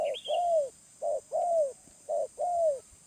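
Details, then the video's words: Close wild spotted dove in the medium voice style. Three clear cycles of a short mellow coo, each followed by a longer coo that sags in pitch, at an even pace. One high chirp comes briefly at the very beginning. "Tekukur Liar // Suara Menengah"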